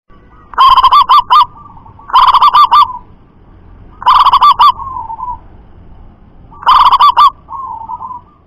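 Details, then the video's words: Local zebra dove, loud and far-carrying, repeats four bursts of rapid bubbling coo notes, each burst trailing into a softer level coo. "Perkutut Lokal Suara Lantang Mampu Jarak Jauh"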